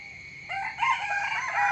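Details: Rooster crowing in the morning: after half a second of near quiet, a loud, harmonic crow rises and continues in wavering held segments to the end, with a steady high tone beneath.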